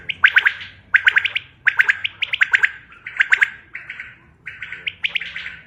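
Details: Common quail call used as a hunting lure, 5 June 2025: crisp liquid three- to four-pulse phrases repeated about every 0.7 seconds, steady and prominent, with low background hum.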